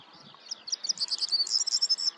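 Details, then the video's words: Corn bunting male on his territory delivers one short jangling song, starting with a few spaced ticks, then speeding into a bright, tinkling, keys-like rattle near the end, with light background noise. "Corn Bunting male, singing on territory"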